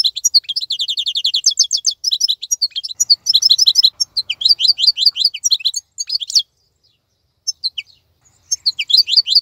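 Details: Wild-type European goldfinch still in bright plumage and active, singing while other birds are silent and moulting: rapid high twittering runs of repeated notes, bursts of buzzy trills and sliding chirps, with short pauses between phrases.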